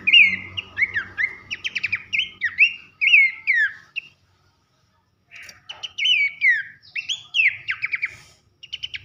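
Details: Abbott's babbler song for training contest birds: loud downslurred whistles mixed with quick rattling trills for four seconds, a silent gap of over a second, then another burst of whistles and trills.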